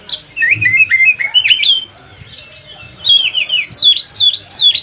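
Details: Kacer (Oriental magpie-robin) singing as training material for other kacers: quick zigzag whistled phrases, a short pause, then a dense run of high, rapidly modulated twittering notes.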